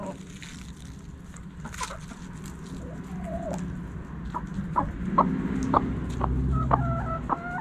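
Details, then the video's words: Hens clucking inside a backyard coop: scattered short clucks building toward the end, with a few brief harmonic calls over a low hum and rustling. "Backyard Chickens In The Coop Relaxing Video Sounds Noises Hens Clucking Roosters Crowing!"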